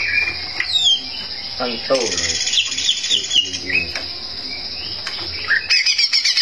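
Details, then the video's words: Greater green leafbird singing vigorously, a song said to provoke rival birds into rage; dense high warbling with chattering and slurred notes, bursts of lower rattles, and a steady high hiss throughout. "cak ijo gacor bikin, lawan ngamuk"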